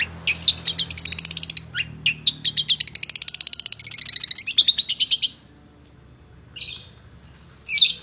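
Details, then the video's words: Cendet (long-tailed shrike) tutor song for kept birds: a long, fast buzzy trill of rapidly repeated high notes, sliding into wavering warbles, then a few isolated high whistles and harsh bursts after short pauses. "masteran burung cendet"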